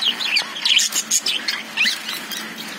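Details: Lovebirds inside a cage give quick, high, twittering chirps and short squeaks in bursts, tumbling over one another without pause for the few seconds heard.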